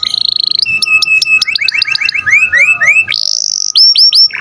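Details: Canary in 'gacor' song, a tutor recording for songbirds: a steady whistle, quick clipped notes, a series of rising slurred whistles, a high buzzy trill and repeated sharp downslurred notes.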